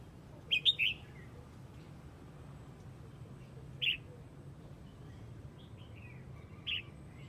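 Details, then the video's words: Red-whiskered bulbul of the Huế type calling to its flock: a few short, bright chirped notes, some in a quick pair, spaced over several seconds against a steady low background hum. "Chào mào Huế gọi bầy"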